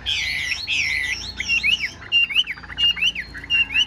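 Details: Caged Chinese hwamei with a fanned tail, a songbird singing continuously: loud rich whistled phrases sweeping down, then short repeated rising-falling whistles roughly every half second.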